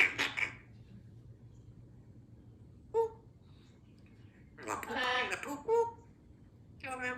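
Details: A two-year-old female Congo African Grey Parrot talks in short, human-like phrases with squeaky, nasal syllables, separated by pauses of a second or more, in a quiet room.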